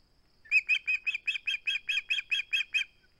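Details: An osprey clinging to its flounder at the nest, filmed by a live cam on 21 August 2020, calls with roughly a dozen piercing whistled notes, evenly spaced and fairly loud throughout.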